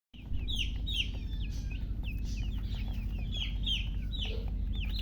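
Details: Newly hatched chicken chicks peeping loudly: rapid, high, downward-slurred whistled chirps tumbling over one another, several birds at once, above a steady low mechanical hum.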